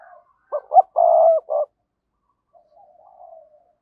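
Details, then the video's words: Calling decoy spotted dove gives one low phrase of two short hoots, a sustained burry coo and a short final note, followed by a faint, distant cooing tail. "Chim Cu Mồi Gáy Gọi/ cu gay kich boi nhanh noi gù"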